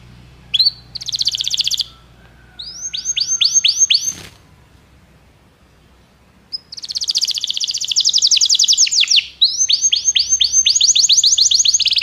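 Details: Belgian canary singing to encourage other canaries to sing, in bursts of rapid rolled trills and fast repeated sweeping notes, separated by pauses, with a brief click near the middle.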